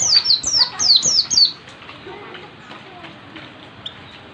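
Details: Oriental white-eye practising a tight ngalas-style song: five sharp, high downslurred whistles in rapid succession over about a second and a half, then quiet background hiss.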